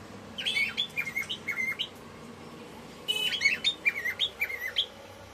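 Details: Female cockatiel singing for a male: two lively phrases of rapid chirped and whistled notes that rise and dip, the second phrase slightly louder and starting with a sharp burst, against low background hiss.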